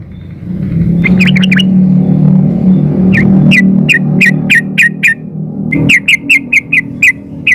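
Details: Female yellow-vented bulbul calling for a male: long runs of clipped, bright notes repeated about four per second, the last run fast and even, over a constant low humming drone.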